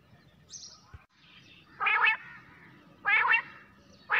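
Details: Quail calling at night: loud rasping, buzzy notes spaced just over a second apart, with a soft click and faint high chirps.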